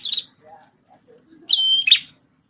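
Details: Red-headed prinia, a former tutor bird for a magpie-robin, gives one clear high whistle ending in a buzzy note, preceded by a brief chirp and faint softer sounds.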